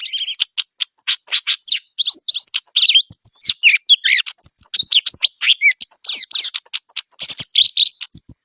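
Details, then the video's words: Greater green leafbird in lively song, a dense, varied stream of sharp chirps, slurred whistles and quick mimic-like phrases tumbling over one another, with short gaps and no other clear sounds. "burung cucak gacor"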